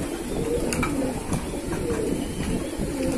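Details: Short burst of pigeon cooing from a keeper's flock: throaty, undulating coos repeated over a dense low rumble and light clicks.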